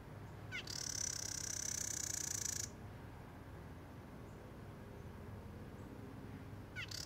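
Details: Carolina wren (Thryothorus ludovicianus), call.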